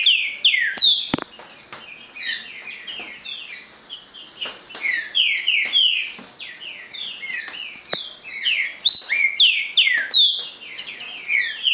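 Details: Owned green-winged saltator singing a long run of loud slurred whistles, each dropping in pitch, in rapid uneven series, with many faint high chirps behind.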